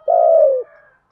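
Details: Decoy spotted dove cooing to lure wild doves: one low, steady, mellow coo lasting about half a second, sliding slightly downward at the end, then quiet.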